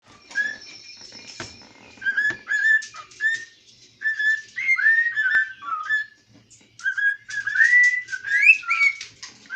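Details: A pet cockatiel (Nymphicus hollandicus) of uncertain sex, owners think male since it talks, sings in a kitchen, possibly trying the Addams Family tune: clear whistled notes rising and sliding down in short bursts, with household clatters.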